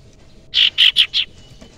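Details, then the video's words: Common iora, a young wild bird used as a lure, giving four quick, bright, buzzy chirps in an even series over a quiet background. "cipoh sirtu muda hutan pancingan sirtu sirpu cipoh ampuh"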